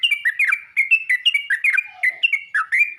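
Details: Yellow-vented bulbul calling other bulbuls: three seconds of quick, liquid chirping notes in an unbroken, lively sequence.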